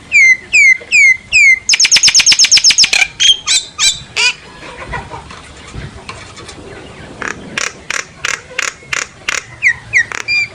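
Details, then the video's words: A common myna sings to summon its flock, opening with four curved whistles, then a quick rattle of clicks, harsh calls, a quieter stretch, and a steady series of sharp bursts. "tiếng chim sáo nâu hót gọi bầy kích bổi giọng chuẩn"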